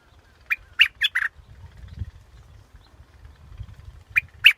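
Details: Scarlet-backed flowerpecker giving a burst of four sharp, clipped chips, then a pause of about three seconds before two more chips, with low background rumble between phrases.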